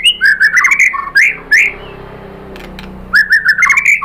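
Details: White-rumped shama singing as a lure to make other birds answer. Clear, rich whistled phrases with slurred rising and falling notes are split by a quiet pause of about a second and a half.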